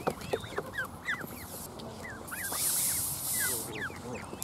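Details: A Canada goose hisses repeatedly: a long airy rush of noise stands out amid many rapid, thin, high-pitched chirping peeps that continue throughout.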